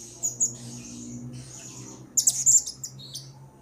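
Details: Blue-crowned hanging parrot lure calls: shrill, high squeaks and twittering over a steady low hum. A louder cluster of rapid sharp chirps comes in the middle.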